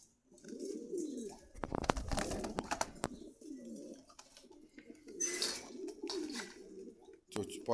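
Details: Caged pigeons at a bird market in Khilgaon, Dhaka, give repeated deep throaty coos in bursts, interrupted by sharp clattering and knocking noises and a brief hiss of movement.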